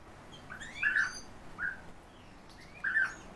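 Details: Home-bred captive European bee-eaters: three short, rolling, liquid calls, the first and last longest, spaced about a second apart against quiet background hiss.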